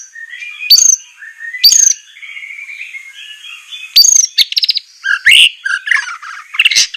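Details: White-rumped shama from a masteran recording used to train captive birds, rough 'tembakan' style. Sharp rising whistles rise over a soft warble, followed by buzzy trills and loud harsh bursts.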